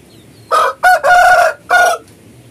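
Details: Bangkok rooster crowing in the afternoon on a farm: a loud, harsh crow of four bursts, the third long and drawn out, with a low background murmur.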